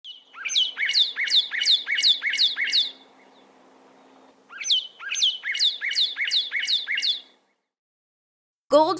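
A Northern Cardinal sings two bursts of clear, downslurred whistles, about seven quick notes each, ending in an abrupt noisy blip.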